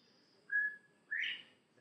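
A Northern Bobwhite whistles its clear two-part bob-white: a level first note, then a louder, sharply rising second note. Faint background hiss throughout.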